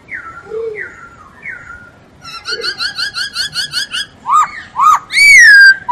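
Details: Masked laughingthrush singing vigorously for training songbirds: three soft falling whistles, a fast regular sequence of short chirped notes, then two upswept whistles and a long loud falling whistle.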